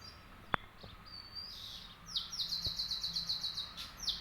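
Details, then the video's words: Wild birds near a home in Dehradun on a morning: a thin high whistle, then a rapid, even trill of sharp high notes at about four per second. A sudden click and faint background hum are also heard. "Morning View_Birds Chirping Sound"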